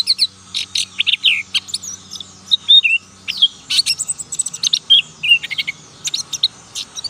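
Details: Juvenile black-capped white-eye practising song, described as ngalas nembak syahdu; a fast stream of high sharp chips mixed with short falling whistles and brief warbled twists, steady throughout.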